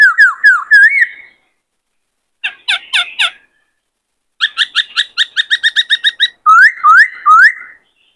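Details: Provoked by a newly caught bird, a caged male White-cheeked laughingthrush sings in varied voices: wavering whistles, a cluster of harsh notes, a fast run of about a dozen even chips, then looping whistles.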